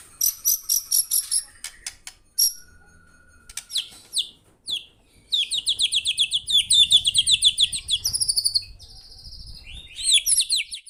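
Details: Murai (white-rumped shama) singing gacor: long runs of rapid, repeated bright chirping notes broken by clicks and short pauses, with faint low rumbling underneath.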